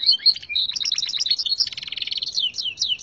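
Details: A local Gloster canary tutored on red siskin song, a singing-contest entry, sings a rapid, continuous run of high chirps and bright trills, with quick changes between note types and no pause.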